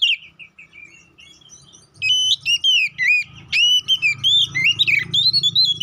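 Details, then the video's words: Oriental magpie-robin lure song meant to provoke fighting: starts with quiet descending whistles, then loud clear whistled notes, arched slurs and scratchy chips in a rapid sequence; low hum in background. "Pancingan Burung Kacer Poci agar Cepat EMOSI, GACOR ON KONSLET"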